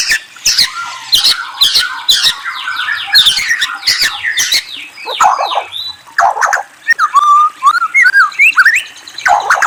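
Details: Murai, the white-rumped shama, delivering a dense, varied song of rapid chirps, squeaky slurred whistles and trills, with a clearer run of rising-falling whistled notes near the end and occasional clicks.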